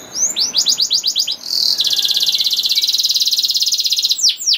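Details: Singing canary, used as a lure so other canaries begin to sing. A run of about ten rising-falling whistled notes leads into a long, fast, metallic trill held for over two seconds. It closes with a few swept notes.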